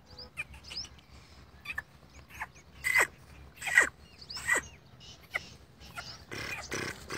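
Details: Black francolin calling in a wheat field: harsh, rasping bursts, three loudest spaced under a second apart mid-recording, with softer scattered clicking notes around them and a low background hum.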